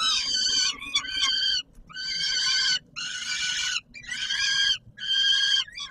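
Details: Rough, wailing screeches from a peregrine falcon at feeding time, Palace of Culture and Science, Warsaw, Poland, 17 July 2022; five drawn-out harsh notes separated by brief silences.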